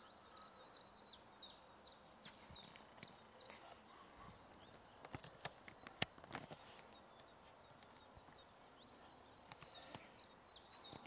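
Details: European stonechat at Ljubljana Marsh (Ljubljansko barje), Slovenia, on 31 March 2023: thin, hooked whistles, about three a second, mixed with sharp clicking tacks over a steady hiss of outdoor noise.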